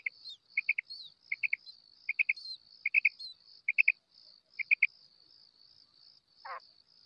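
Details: Female quail, known locally as batair, calling in 2024: six quick groups of three sharp chirpy notes in steady rhythm, then one harsh buzzy rasp, under a constant high hiss.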